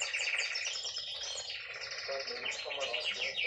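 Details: Female canary in song, delivering fast buzzy trills and glittering high notes in a continuous stream, with lower warbled phrases in the middle.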